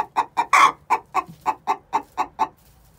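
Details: Pre-laying egg song from six-month-old hens: a loud harsh squawk early on, followed by a tidy string of short rhythmic clucks that stops abruptly.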